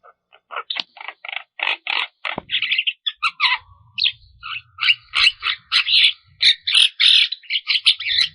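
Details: Javan myna in lively 'gacor full isian' song, meant to stimulate stressed or silent mynas: a dense run of short, harsh chattering notes and squeaks, bursts packed close together, growing busier and louder in the second half.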